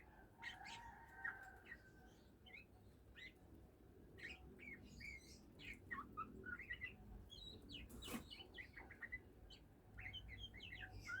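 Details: Oriental magpie-robin beginning to sing, a kept bird: a loose string of short whistles, chirps and sharp upward notes, irregularly spaced over about eleven seconds, with one click partway through and steady low room noise.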